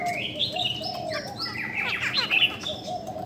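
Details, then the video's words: Female Chinese hwamei, a bird said to strongly stir up males, giving clear whistled notes, rising and falling, then a fast burst of steep downslurred notes, over a steady low tone throughout. "KHƯỚU DA BÒ MÁI SIÊU KÍCH TRỐNG"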